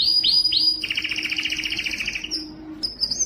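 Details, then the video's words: A Spanish Timbrado canary sings two high upward swoops, then a fast, even rattling trill of ringing notes for over a second, ending in thin high whistles. "canary singing timbrado"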